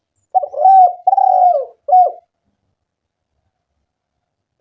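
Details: Spotted dove coos used to provoke other doves to call: three low cooing notes, the middle one long and slightly falling, then silence.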